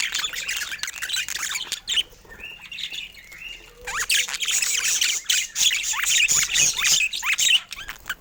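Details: Pet budgerigars at morning toy play: a stream of short rising chirps, about four a second, with scratchy warbling, a softer lull midway, then bright chirping again.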